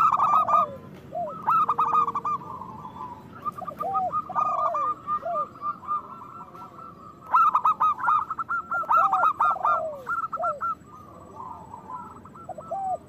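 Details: Chorus of lively local zebra doves with big voices, sung to prompt other doves into song and breeding. Repeated loud bursts of fast staccato coos overlap continuously, mixed with lower descending slurs.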